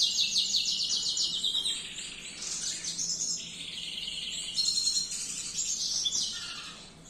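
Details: Canary song used as a tutoring recording: high, rapid trills and rolling tours shifting between pitches, brief whistled notes and buzzy passages, delivered almost without break and fading slightly at the end.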